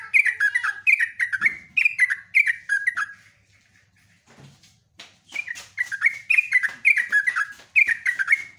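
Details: Sooty-headed bulbul in full song with long phrases, giving bubbly, rich phrases that drop in pitch, about two per second, in long runs broken by a short pause.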